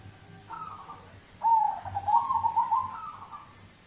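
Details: Zebra dove of a local type, used to prompt other birds to sing: a faint opening coo, then a louder warbling phrase of rapid, purring notes that holds steady before fading.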